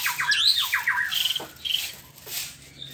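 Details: ['Morning song of a white-rumped shama: a quick run of bright, descending whistled notes, then a few clear steady tones and a lower downward slur, over faint hiss.']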